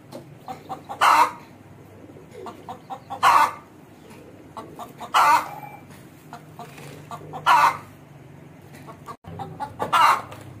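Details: Aseel hen calling: loud, short squawking notes about every two seconds, each led by a few soft clucks, over a steady low background hum.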